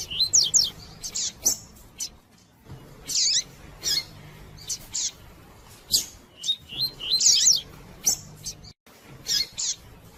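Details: Calling female double-collared seedeater, used to stimulate song in cold males; quick runs of high thin chirps and twittering downslurred notes in several close bursts, with brief pauses between.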